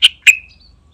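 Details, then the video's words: Yellow-vented bulbul (trucukan), a lively calling bird used as a lure to prompt other bulbuls to sing: two short, bright, sharp chirps about a quarter second apart, the second trailing off into a thin fading whistle. "Suara Panggilan Trucukan Gacor Nembak Isian Istimewa"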